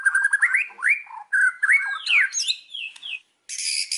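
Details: Indonesian white-rumped shama song used as a singing lure: rich, varied whistles sweep up and down in short phrases, followed by a brief silence and a harsh buzzy burst.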